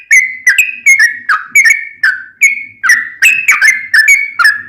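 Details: Lively song of a sooty-headed bulbul, played to coax other bulbuls to sing back: steady series of rich whistled phrases, each dipping then levelling, repeated roughly every third of a second, with bright clicking overtones and no other sounds.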